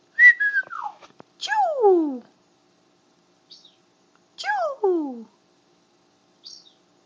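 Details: Pet macaw screaming indoors at home in front of a parrot camera while its owner is away; two loud, tonal calls that slide steeply downward with strong harmonics, about three seconds apart, with faint short chirps between and otherwise quiet.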